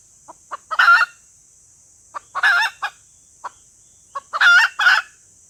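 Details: Female red junglefowl calling to lure males, short soft clucks building into loud rasping double cackles, repeated three times, faint steady hiss.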